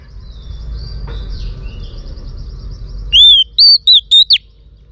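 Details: Singing female Oriental magpie-robin, calling to stimulate males; three seconds of soft distant twittering and hiss, then a clear phrase of five ringing whistled notes near the end.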